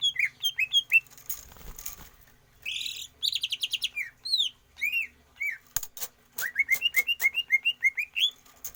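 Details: Greater green leafbird kept caged, trained for stamina and longer breath without open-air flying: varied whistled phrases, hooked and upslurred notes, a buzzy burst, then a quick repeated series of rising whistles, with clicking noises throughout.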